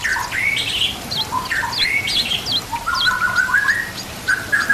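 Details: White-rumped shama song meant for training other birds, set against nature sounds and trickling water: sliding whistled phrases, a long level whistle near the end, sharp high upsweeps mixed in, steady background hiss.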